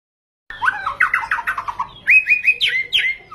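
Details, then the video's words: Bait song of a white-rumped shama, used to provoke rival birds: a descending series of quick whistled notes, then sharp, loud, upslurred whistles repeated several times. "PANCINGAN MURAI BATU GACOR FULL ISIAN"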